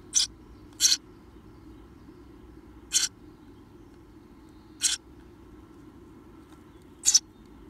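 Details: Nestling Eurasian tree sparrows on their seventeenth day, close to leaving the nest, give sharp raspy hisses, five short bursts spread unevenly with gaps of one to two seconds, against a quiet low hum.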